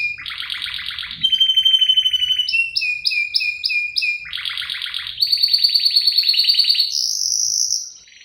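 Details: Canary in cengkok isian song, presented as a female luring the male: varied tours of chattering trills, a sustained whistled buzz, a run of rising swept notes and a bright high trill, with faint low background rumble.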